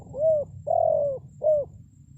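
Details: Decoy spotted dove calling to draw wild birds to reply. It gives a mellow cooing phrase of three notes: a brief rounded coo, a drawn-out level middle coo, and a short final coo, with low background hum.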